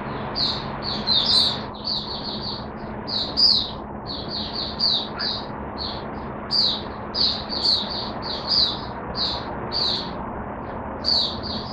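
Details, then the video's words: Oriental white-eye, caged, singing a long string of clipped high chirps and twitters in uneven bursts, some doubled, over a steady hissy background. "Mata Puteh Hercules V1 buka sing"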